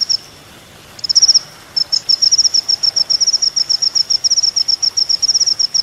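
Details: Sunbird, kolibri ninja, from a training master for songbirds: a short piercing burst, a pause, then a prolonged rapid chatter of very high, thin repeated notes.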